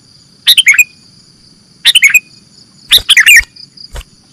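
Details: Sooty-headed bulbul, locally kutilang, in a lure recording for catching birds: three short bubbling chirp phrases, each a quick tumbling cluster of notes, separated by pauses, with a faint steady high whine.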